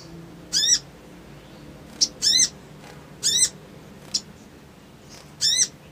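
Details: Crimson sunbird giving a provoking, excitable calling bout meant to trigger a quick response. There are four short, sharp, very high buzzy bursts about one to two seconds apart, with brief ticks between them and a faint low hum behind.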